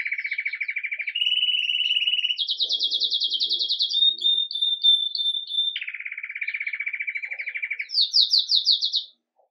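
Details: Caged red mosaic agate Belgian canary singing campainha-style song in the morning, live recording: long even trills shifting between low and high pitch levels, a clear bell-like whistle, then a fresh rapid upper trill; quiet indoor background.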